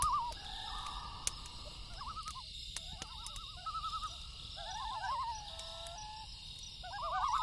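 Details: Nighttime loon calls mixing long steady wails with fast quavering tremolo warbles, several phrases overlapping one another, over soft crackling and snapping from a campfire.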